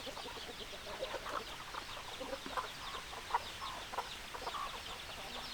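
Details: Hens and roosters cluck continuously, a busy mix of short mid-pitched notes with a few sharper accented calls over a constant hum of the flock.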